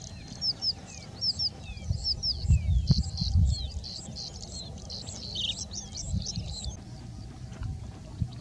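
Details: Male ashy-crowned sparrow-lark in India, calling while feeding on seeds from small bushes; quick, high chirps about two a second, then more scattered, over steady low wind rumble.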